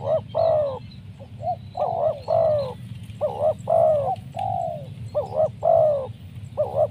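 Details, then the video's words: Spotted dove used in luring wild doves, calling steadily: paired bouncing syllables and loud falling coos repeated in about four phrases over seven seconds, with a constant low hum. "Mikat tekukur,, sibanggo Poin suara mersik"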